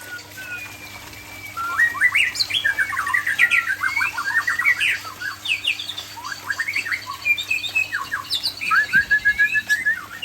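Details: White-rumped shama, Aceh type, singing in a relaxed afternoon session: a rich varied stream of whistled and chattering phrases, rising and falling notes in quick bursts after a quiet start, with a steady background hum.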